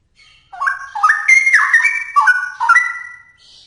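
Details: Loud straw-headed bulbul song: rich, liquid whistled notes climbing stepwise, then a series of dropping and rising phrases, with a faint high call at the end.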